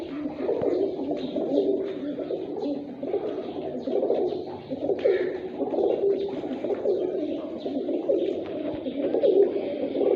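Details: Fighter pigeons kept in a Sindhi village, Pakistan, producing continuous layered cooing: deep, rolling, bubbling notes from many birds overlapping without pause, steady in loudness across the whole stretch.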